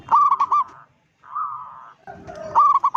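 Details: Local zebra dove with a big voice, giving a call said to alarm other zebra doves; a loud trilled coo, a soft purring roll, then another sharp trilled phrase.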